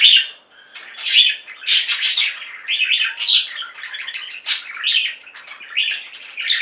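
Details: Captive budgerigar flock singing and chirping, a loud harsh burst of chatter followed by gentler warbled phrases, buzzy trills and occasional short whistled notes.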